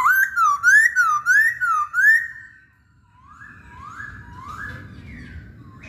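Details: Masked laughingthrush (Poksay Hongkong) in lively song: five rapid rising, wavering whistles, evenly spaced, followed by softer, more distant rising notes.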